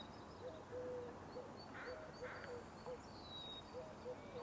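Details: Eurasian collared dove, tentatively identified, gives soft, low, hollow coos in a loose series with one note drawn out longer, at a British Columbia marsh in the morning. Thin high whistles of other birds and a brief voice behind.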